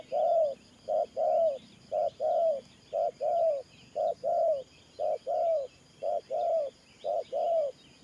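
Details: 'Thổ Pha Nước Gù' cooing from a spotted dove decoy bird: very regular short-long coo pairs, low and mellow, each falling slightly at the end, about one pair per second.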